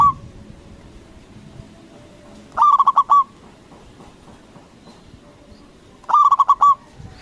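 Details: Local zebra dove, loud and active, used as a lure to make rival doves respond; a trailing note at the start, then two stuttered phrases of five or six quick hollow coos about three and a half seconds apart.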